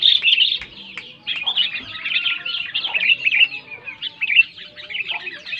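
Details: Sooty-headed bulbul, loud song for coaxing silent bulbuls to sing: steady stream of chattering, bubbly notes with slight rises and falls, and faint lower tones underneath.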